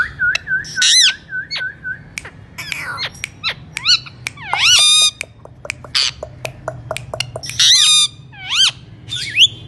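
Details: Alexandrine parakeet calls: a run of short repeated whistled notes, then loud harsh squawks, rising whistles and clicks in irregular bursts, with a low background hum.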